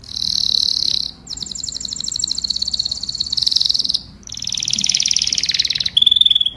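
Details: Canary singing to call its flock: loud, buzzy, rapid trills held in long rolling phrases. Brief gaps separate the shifts from one trill type to the next.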